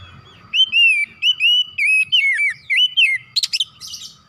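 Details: Oriental magpie-robin (kacer) in energetic gacor singing, used to stimulate other kacer: a run of clear, slurred whistles rising and falling, each about a quarter second, then a burst of sharp buzzy chattering notes near the end.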